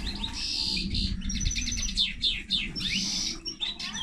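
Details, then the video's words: Song of a common linnet and canary hybrid: rapid twittering with buzzy trills and quick descending sweeps, broken by short pauses, over a low background hum. "Mixto de pardillo y canaria - هجين طائر التفاحي مع الكنار"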